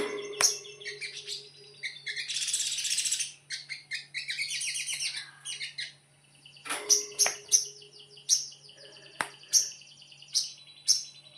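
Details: A sogon delivers konslet song. A harsh, buzzy, dense chatter in the first half gives way to spaced, sharp, high whistled chips repeated roughly every half second to one second, over a faint hum.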